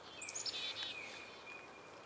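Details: A black-capped chickadee in a garden reacts to a military plane flying directly overhead, giving a quick burst of thin, high chips over the plane's long, steady, slightly falling whine as it fades.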